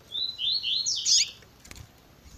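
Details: A double-collared seedeater sings a quick run of high, sweet twittering notes for about a second and a half, rising to a brighter burst, in a recording edited with female calls to stimulate males to sing.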